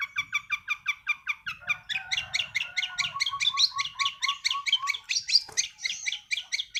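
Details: A young long-tailed shrike, not yet through its moult, sings a 'sembur' burst: an unbroken chatter of rapid repeated notes, about three per second, layered with a lower run of short falling whistles.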